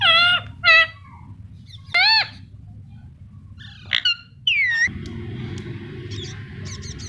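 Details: Indian ringneck parrot, said to be talking, makes a few harsh harmonic chirps and a falling, swooping whistle, followed by a steady low household hum and faint high ticking.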